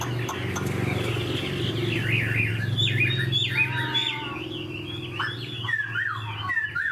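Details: Big caged Chinese hwamei in sustained song: rapid series of swooping V-shaped whistles, some steeply rising and falling, delivered in quick succession against a constant low hum and faint background noise.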